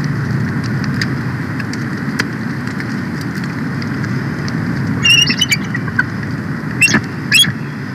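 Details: Female bald eagle (Haliaeetus leucocephalus) at the Big Bear Valley nest, 4 March 2024, calling her mate to take over nest duty: short bursts of high, squeaky chittering piping near the end, over steady wind rumble.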